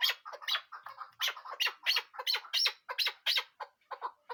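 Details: Chukar partridge giving loud, harsh, rhythmic chuk calls, about one and a half a second, some notes rising and squawky, with a brief quieter stretch near the start.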